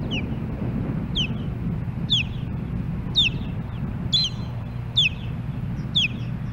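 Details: Female osprey at her nest in Hellgate Canyon, Missoula, Montana, on July 14, 2016, on a nest camera, calling for her mate: about seven sharp, descending whistled chirps, roughly one per second, over a steady low hum.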